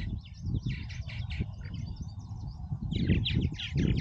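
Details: Busy purple martins at Oak Harbor, Ohio: bursts of rapid chattering chirps, densest at the start and end, layered over a constant deep rumble of wind or engines.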